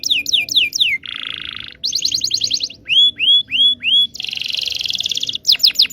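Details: Local Indonesian canary song used as a lure to teach young canaries that are not yet singing; varied phrases of falling whistled notes, a buzzy trill around the middle, upward-sweeping notes repeated four times, then a rapid rattling trill.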